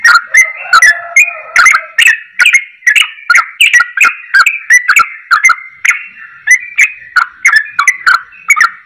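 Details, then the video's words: Yellow-vented bulbul in lively, fast song imitating the straw-headed bulbul, with a long run of loud fluty, warbled phrases punctuated by crisp clicking notes, steady and rhythmic throughout. "Trucukan Gacor Ropel Suara Cucak Rowo"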